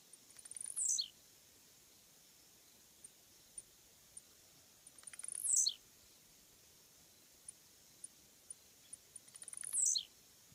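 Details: Three repeated songs from a Blue-black Grassquit (Volatinia jacarina), spaced about every four and a half seconds: accelerating ticks, then a loud, thin, buzzy note falling quickly from very high pitch; occasional faint clicks in between.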